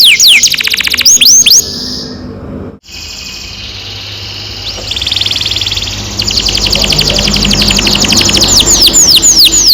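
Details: Canary singing a long roll, played as a lure for young canaries learning to sing: rapid trains of downward-sweeping whistles, a sustained buzzy trill midway, then fast repeated sweeps again, with a brief silent gap and background hiss.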